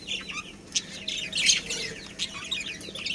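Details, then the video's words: Budgerigars of a breeding pair chirping: quick high twittering notes and short scratchy chirps run together in busy chatter, with one louder burst midway and a faint low hum underneath. "Cute Budgies Chirping Sounds"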